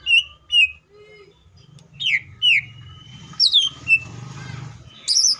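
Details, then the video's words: Cucak ijo (leafbird) singing in full tembakan style, rich in varied material: loud sharp whistled notes slurring downward, a few isolated chirps, a long thin whistle near the middle, and a burst of high notes at the end. "CUCAK IJO FULL TEMBAKAN❗MATERI BANYAK MANA MUNGKIN IJO KALIAN TIDAK IKUT GACOR!"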